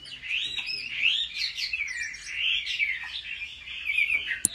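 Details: Competitive singing from a Chinese hwamei kept and trained at home: a flowing, varied warble of sweeping whistles rising and dipping, ending with a few sharp clicks.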